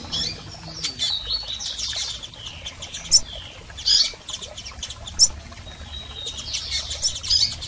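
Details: High twittering chirps from female and male double-collared seedeaters, used to stimulate a male bird, come in irregular bursts with clicking noises in between.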